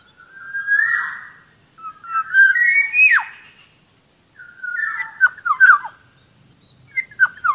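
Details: Black-naped oriole lure sound for wild birds: groups of rich whistles, a loud steep down-swoop, then rapid clipped chirps and short fluty notes, over a continuous faint high electronic tone.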